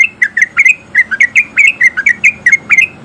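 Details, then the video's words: Lure song of a breeding male sooty-headed bulbul, clear liquid whistled notes, many with a sharp upward flick, delivered in a steady rapid stream. "Pancingan Trucuk Gacor Biar Trucuk yang Malas Bunyi jadi Ikutan Bunyi"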